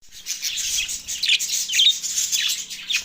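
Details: Budgerigars recorded March 9, 2024 in Larkana, Sindh, said to be in a mating frenzy; dense high, scratchy chatter with short chirps and squeaks running almost continuously, several birds overlapping.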